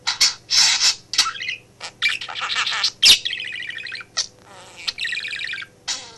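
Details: Male pet budgerigar at home in an office, talking beside its owner at work: a continuous jumble of raspy chirps, warbles and buzzy mimicked phrases with brief pauses, over a faint constant electrical hum.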